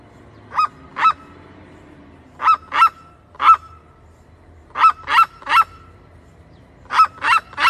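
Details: Red-legged seriema calling with loud, barking yelps in pairs and triplets, separated by short pauses, each note sharp and ringing, over quiet background.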